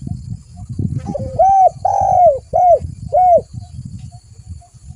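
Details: Spotted dove, used as a lure recording, giving a phrase of four clear cooing notes: a short rising coo, a long drawn middle coo, then two short arched coos, over low background rumble.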